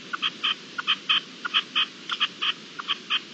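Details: During a hailstorm in April 2021, a partridge gives quick runs of clipped, harsh notes with uneven spacing, while hail keeps up a constant rushing hiss.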